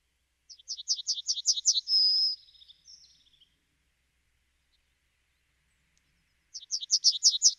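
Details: Yellowhammer singing: a fast run of about a dozen short, dry, high notes ending in a long drawn-out note and a fading trill. After several seconds of quiet the rapid note series starts again.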